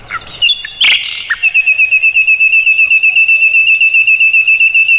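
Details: A tutor recording of Mugimaki flycatcher song, meant for training white-rumped shamas. A few loud squeaky notes open into a long, steady, high trill of rapid ticks, about four per second, that runs to the end.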